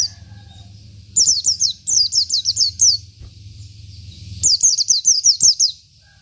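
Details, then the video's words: Local Oriental white-eye, Indonesia, singing 'isian' filler song for tutoring: three fast runs of high, slurred downward whistles, each lasting about a second, above a steady low hum. "PLECI BIKIN EMOSI LAWAN || Pleci Lokal || Pleci Isian"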